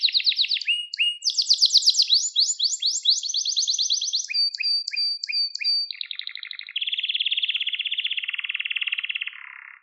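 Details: Canary song recorded for training young canaries: fast rolling trills at high pitch, then paired down-slurred notes repeated about twice a second, ending in a long buzzy rattle that drops lower. Clean and free of other sounds.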